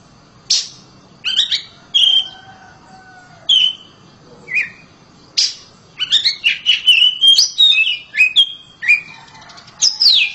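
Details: A home-raised oriental magpie-robin sings loudly, opening with scattered sharp whistles and chirps, then a dense, fast run of mixed sweet whistles and slurred notes before ending on a high downward sweep.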